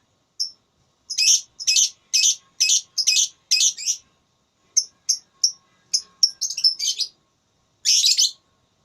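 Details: Lovebird in a singing contest, ngekek style: a steady series of harsh, buzzy chirps, about two per second, then thinner sharp notes and a fast chattering cluster before one last rough burst.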